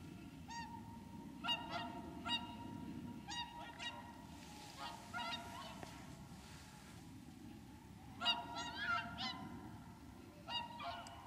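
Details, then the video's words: Wintering whooper swans at Lac du Der, Champagne, France, on 30 January 2014, giving loud bugling honks in bursts of several notes, with pauses between groups, over a steady low background rumble. "Cygne chanteur ( Cygnus cygnus ) au Lac du Der en Champagne"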